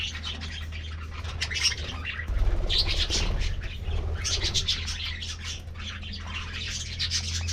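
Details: Aviary budgerigar colony at a morning treat: bursts of busy chirping and scratchy warbles, interspersed with wing flutters and a constant low hum in the background.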